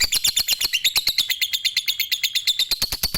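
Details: Brief stretch of lovebird chatter: rapid, evenly spaced high notes running together as one long trill.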